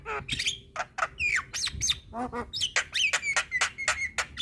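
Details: Black-winged myna, the white-eyed form, recorded as a training track for cage birds: a loud, varied run of squeaky whistles, harsh squawks and sharp chattering notes, some falling and some rising, packed closely together.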